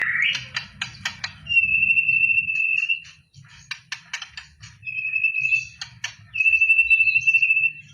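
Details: White-rumped shama singing in training for a songbird contest; rapid clicky notes alternate with long steady high whistles held one to two seconds, over a faint low background rumble.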